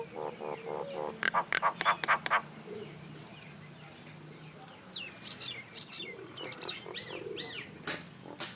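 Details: Common myna making noise: a fast burst of harsh, nasal repeated notes and clicks, a pause, then softer rising squeaks and chatter over a low background hum.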